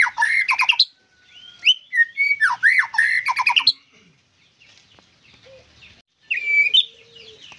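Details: White-rumped shama delivering loud, harsh, buzzy phrases mixed with swooping whistles, a pause with faint notes, then another short loud burst.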